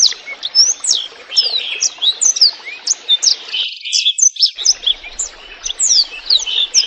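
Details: Blackthroat in full song over gently trickling water, used to train songbirds: a fast stream of high whistled slurs and sharp notes, with a brief gap in the lower background sound midway.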